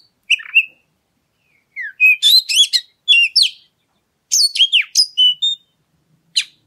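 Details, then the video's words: Oriental magpie-robin song used as a lure to provoke other birds into singing: short bursts of varied clear whistles, rising and falling slurs and sharp high notes, separated by brief pauses, with a quiet, clean background. "Pancingan Suara Kacer Segala Medan Dan Cuaca"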